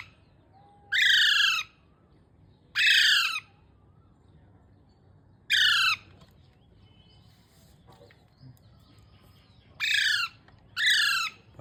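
A young parrot gives harsh, rasping calls with a rising-falling sweep, five in all at uneven gaps of one to three seconds, over a quiet background.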